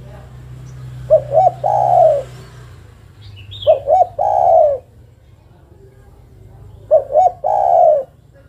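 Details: Female spotted dove calling the male: three low cooing phrases about three seconds apart, each two short quavering notes followed by a long, steady, slightly falling coo, with a faint low hum behind.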